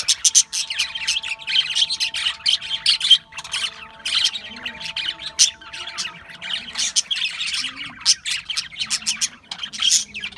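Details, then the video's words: Australian budgies in a flock, chirping: dense, overlapping high chatter with short bursts and harsh squawks, almost no pauses, over a faint steady low hum. "Budgies Chirping Sounds"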